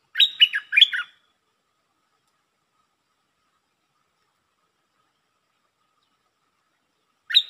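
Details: Red-whiskered bulbul of the ดอกแตง type singing in the ลักเบิ้ล style: one short burst of three quick warbled notes, then a long silence and the start of another phrase at the very end.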